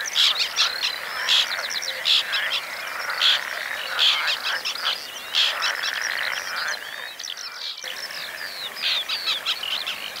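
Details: Dense chorus of harsh, rasping white-winged tern calls from a breeding colony in the Oostpolder, Netherlands, in 2015, where the birds bred for a second time; many birds overlap, with louder bursts roughly every second over a steady background hum.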